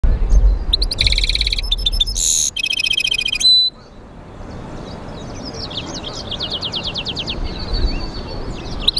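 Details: A European goldfinch x canary mule (hybrid) sings in bright bursts of rapid, high twittering trills and buzzy notes, with a brief pause before softer chirps resume over low background rumble.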